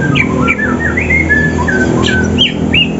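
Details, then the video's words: Greater green leafbirds, Banyuwangi and Sumatra birds, morning contest training while looking for a rival: fluid chain of clear rising and falling whistles, several per second, with a low background hum. "Cucak ijo Banyuwangi dan Sumatra cari lawan"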